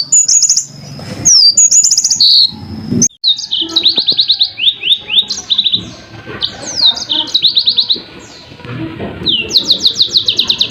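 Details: Yellow-fronted canary, song-tutor recording, delivering a long varied song of high slurred whistles and fast rattling trills in quick succession, with brief pauses and faint low background noise.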